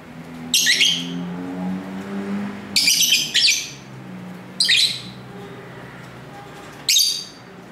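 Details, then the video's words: Lovebirds singing and talking to each other let out sharp, scratchy, high chirping bursts, some in quick pairs, over a low droning hum of street traffic near the home, recorded with a camera's internal microphone. "Love Bird Sounds"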